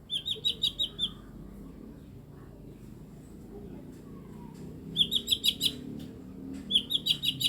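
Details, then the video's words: Strange-voiced mini blue-winged leafbird, eight years old, giving a quick run of high chips, a pause of several seconds, then two more chipping bursts. "CUCAK IJO MINI BERSUARA ANEH"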